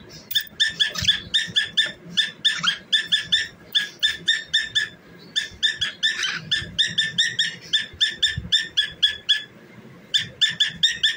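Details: A pet cockatiel singing while dancing repeats clipped, ringing, harsh notes at a rapid pace in long runs, with short pauses between runs and soft low thuds in the background.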